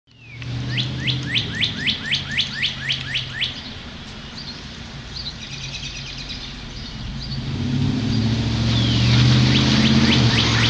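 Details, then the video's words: Northern cardinal singing on the first day of spring, 2011: a rapid run of about ten clear, steeply down-slurred whistles, then quieter faint notes while a rushing, wind-like background noise swells toward the end. "Cardinal Sings on First Day of Spring"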